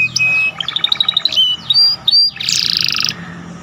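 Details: A canary song tutor recording, the canary's song filled with ciblek phrases: a quick, varied song of a steady high whistle, a run of rapid chipping notes, slurred whistles, then a dense buzzy trill.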